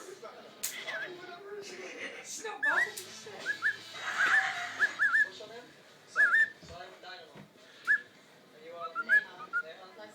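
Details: A pet cockatiel in her new hiding place whistles short rising and falling phrases, mixed with chattering mimicked talk; a person speaks briefly in the background.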